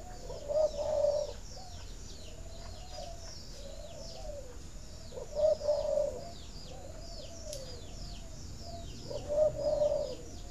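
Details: Spotted dove coo used to stimulate egg laying: three two-part coo phrases, roughly every four seconds, each a short low note then a longer steady one, with other birds' high twittering and softer low calls between.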